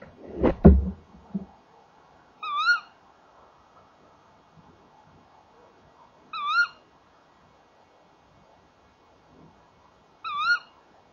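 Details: Male and female tawny owls calling together at a nest box at 19:31 on 30 January 2014: sharp, nasal, up-and-down calls three times, about every four seconds, after a few dull knocks and bumps as they enter the box.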